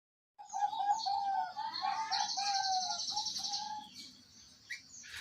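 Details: Zebra dove song used to prompt a caged bird that is slow to sing: a run of quick soft cooing notes in a steady staccato series, over a constant high buzzing background.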